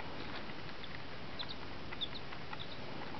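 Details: Tame incubator-hatched chicks, three days old, uttering a few brief high-pitched peeps clustered mid-clip, faint against a constant low rumble and light handling noises.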